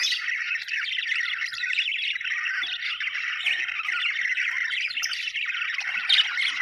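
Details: Happy budgies keeping up a continuous chattering warble, rapid scratchy chirps and squeaks overlapping evenly from start to finish.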